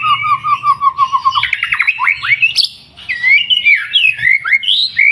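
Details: White-rumped shama singing vigorously, played as a lure to set other birds singing: a run of about nine even, repeated whistled notes, then rapid rising slurs and looping varied whistles, loud and continuous.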